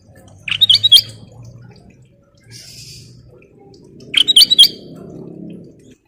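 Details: Black-crested bulbul singing vigorously in the nyiul style, with two clusters of quick, sharp whistled notes separated by a pause, over a soft low hum.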